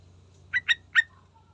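A yellow-vented bulbul gives three quick, bubbly, liquid notes in half a second, then a soft trailing whistle, over a faint low hum.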